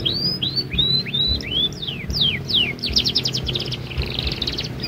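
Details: Young canary learning to sing: looping arched whistles and descending sweeps repeated roughly every half second, then a rapid buzzy trill, with low background hum.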